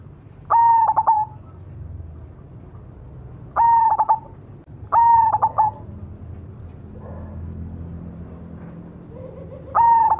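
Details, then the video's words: Cemani zebra dove repeating its song. Four phrases of a sustained low coo breaking into rapid pulsed notes, with a longer gap before the last. Faint low background noise throughout. "suara burung berkutut cemani gacor mangung"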